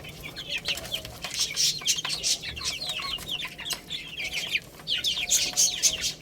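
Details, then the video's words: Young chickens chirp while playing and eating: rapid, piercing peeps, about four per second, overlapping from several birds, with loud clicking taps mixed in. "Cute Little Chicks Chirping Sounds| Baby Chicken Playing and Eating"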